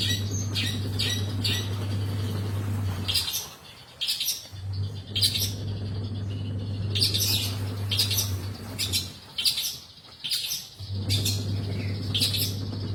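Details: Actively singing long-tailed shrike giving clusters of harsh chattering and scratchy notes separated by short silences of a second or more, a steady low hum underneath.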